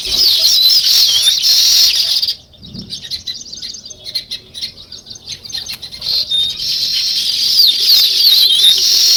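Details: Flock of sparrows, with weaver birds also named, giving rapid overlapping chirps; the chorus drops to a thinner, scattered twittering mid-clip, then swells again into loud massed chatter.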